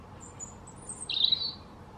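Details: European robin song in a forest: faint, very high thin notes, then one brighter trilled phrase that dips slightly, set against near silence.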